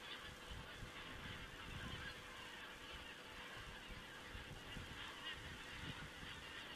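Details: A large group of geese recorded by a crane webcam in Estonia on 27 September 2017; an even chorus of overlapping honks continues throughout over a low rumble.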